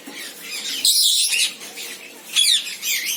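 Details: Senegal parrot with a loud, rasping squawk near the first second, then wavering whistled notes and another harsh burst around two and a half seconds.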